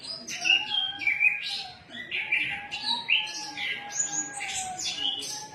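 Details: Orange-headed thrush, locally called anis kembang, singing vigorously: a rich, varied run of high whistled and buzzy phrases, delivered almost continuously with brief gaps, over a steady low humming tone in the background.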